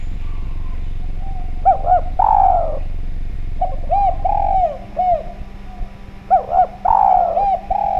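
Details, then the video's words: Clear-voiced Javanese spotted dove, an active caller, its call used to lure other doves into calling: soft paired coos leading into a drawn-out falling coo, repeated several times; a low background drone runs throughout. "Derkuku Djawa Gacor Suara Bening, Spesial Suara Pancingan"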